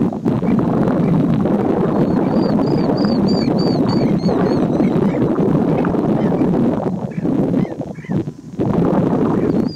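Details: Four Black-necked Stilts interacting, possibly two pairs harassing each other, in Champaign County, Illinois, USA, on June 12, 2020: a quick series of sharp, high yapping notes, about four a second, over a loud rush of wind or distant noise.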